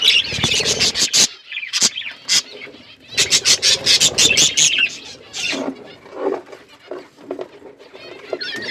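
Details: Budgerigars chirping as a flock inside an outdoor aviary: dense bursts of high twittering broken by sharp clicky rustles, with short quieter gaps between the louder bursts.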